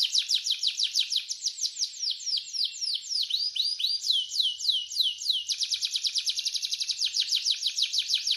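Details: Canary in lively gacor singing, delivering fast trills of high, sweeping down-slurred notes, about three per second, shifting midway into a quicker, tighter buzzy trill; no other sounds.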